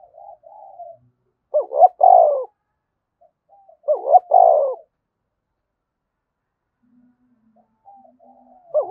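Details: Lively 'thúc bổi' cooing of a spotted dove, used to set other doves cooing; two strong phrases of a quick rising pair of notes followed by a drawn-out descending coo, with soft low murmurs before and after.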